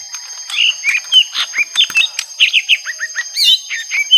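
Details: Young lesser green leafbird in a long fight with a rival, pouring out a dense, rapid run of varied whistled and chattering notes, many sliding up or down, with barely a pause between phrases.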